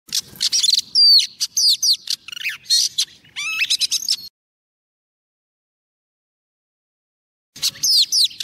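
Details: Female Oriental magpie-robin, a decoy bird used for trapping, sings to call a male: about four seconds of sharp, varied whistles and slurred notes, three seconds of silence, then the song resumes briefly.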